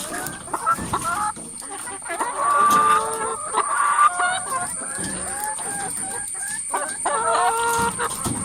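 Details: Lots of noisy chickens in a coop call over each other: drawn-out nasal squawks and quavering cackles swell in the middle, mixed with quick clucks and a constant thin high-pitched hum.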